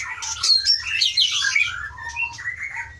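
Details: White-rumped shama from Aceh, wild-caught in 2012 in Pining forest in the Leuser mountains, now a captive breeding bird, delivering a short burst of rich warbled and whistled phrases dropping from high to mid pitch.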